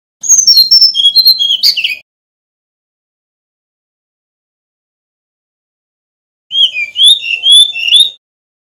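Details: Male Brown-chested jungle flycatcher from Bali, singing as a master recording for training other birds: two bursts of high, quick whistled and chirping notes, sliding up and down, separated by about four seconds of silence.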